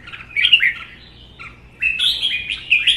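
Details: Caged red-whiskered bulbuls provoked into competitive duel singing, one a wild-caught adult kept one season: two bright warbled phrases, the first short and chirpy, the second longer and rising into sweet slurred notes after a brief pause, with a faint low hum.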